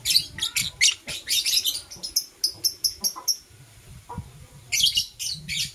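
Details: Blue Opaline and Parblue Euwing Opaline lovebirds chirping in the morning: a long rapid series of piercing, scratchy chirps, several per second, briefly pausing before another fast volley, with soft low background noise.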